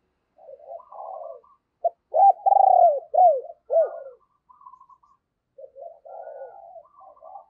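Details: Decoy spotted dove cooing to draw in wild doves: low murmured coos lead into a run of four loud arched coo notes, then softer cooing trailing off.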